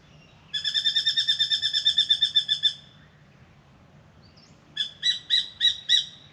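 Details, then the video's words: Spangled drongo singing at a backyard birdbath in Australia, where it comes to drink: a fast run of about fifteen nasal, metallic notes, then after a pause four slower, spaced twangy notes, over a faint low hum. "Spangled Drongo sings"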